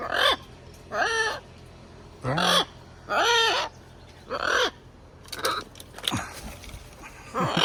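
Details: Harsh, drawn-out squawks from a pet military macaw enjoying being outside after a good shower, repeated roughly every second with short gaps, each call grating and nasal.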